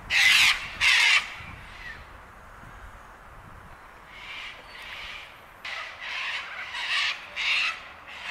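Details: A flock of sulphur-crested cockatoos at Bundanoon station, Australia, June 2021: two loud, harsh screeches up front, then a quieter run of rasping squawks repeating about every half second.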